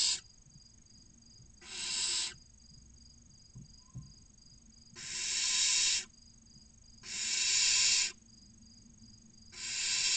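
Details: Six young barn owls, 16 to 29 days old, crowd toward the nest box opening in Cabañeros National Park, Ciudad Real and Toledo, Spain, waiting to be fed: five harsh hissing screams, irregularly spaced, with a brief faint scrape midway.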